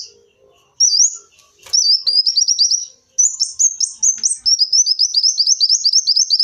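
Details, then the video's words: Sunbird known locally as kolibri wulung, recorded as a lure: after a short pause, a long, continuous, very high twitter of rapidly repeated slurred chips, steady and unbroken for several seconds. "Suara burung kolibri wulung cocok buat suara pikatan kolibri"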